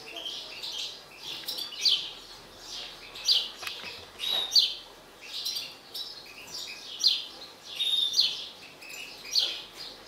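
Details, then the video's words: European goldfinch, an agitated mutant bird, repeating loud, high chirpy twitter bursts roughly every second, each a short cluster of slurred notes, over ten seconds. "حسون طفرة هائج"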